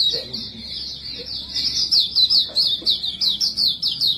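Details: Small white-breasted white-eye song used as a lure for other birds. A rapid, unbroken run of high, sweet, slurred notes that swells louder halfway through, over a faint low hum.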